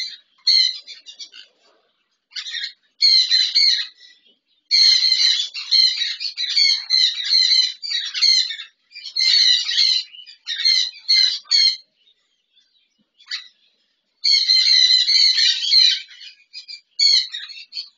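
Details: Sun conures, a double red factor and a normal bird, playing in an aviary give harsh, shrill screeches in loud bursts, packed with high, raspy notes.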